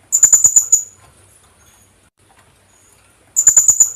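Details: Kulasisi, the Philippine hanging parrot, in a lure call: a quick string of five or six piercing high chips, a long quiet pause, then another rapid shrill series.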